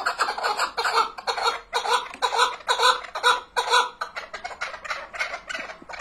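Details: Chukar partridge giving rhythmic clucking chuck notes, about two a second, grouped in loud pulsing bursts with brief gaps between runs.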